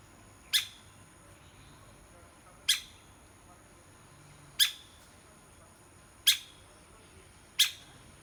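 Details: Five single, hard taps from a woodpecker pecking, evenly spaced about two seconds apart, each a sharp click-like strike with a short resonant tail, over low hiss.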